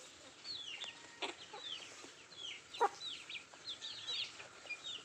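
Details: While eating, country chickens (nattu kozhi) utter scattered high falling peeps, softer than usual, with a few sharp clicky knocks standing out in between.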